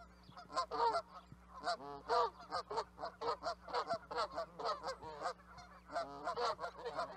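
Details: Canada goose flock honking steadily: a long run of overlapping, brassy honks in quick succession, pausing briefly before resuming.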